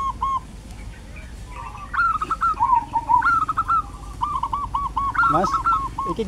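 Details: Zebra dove singing steadily in a quiet countryside village in Kebumen, Indonesia: mellow, rolling cooing phrases that begin with a rippling trill and end in a string of evenly spaced clipped notes, with faint background hum and a brief low noise.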